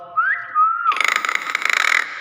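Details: Common hill myna giving a clear whistled note that rises, dips and levels off, then breaks into about a second of harsh, buzzy, rasping chatter with pulsing bursts. It is indoors, with people talking around it.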